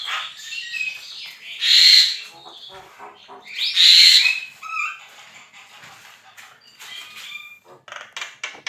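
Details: Javan myna singing steadily, a recording used to train other songbirds: two loud harsh screeching bursts stand out among softer scratchy chatter and brief rising whistles.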